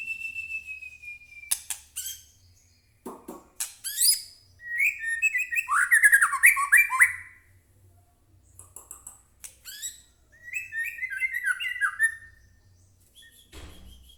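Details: Song of a White-rumped shama, a lure for getting captive birds to answer: a long clear whistle, hard clicking bursts, then loud tumbling warbles in two main runs.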